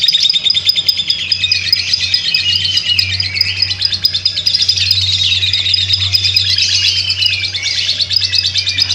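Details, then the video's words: Long ngekek from a lovebird: a sustained, shrill buzzing chatter of fast repeated notes lasting the whole stretch, a constant low electrical-like hum underneath. "Video burung lovebird ngekek panjang"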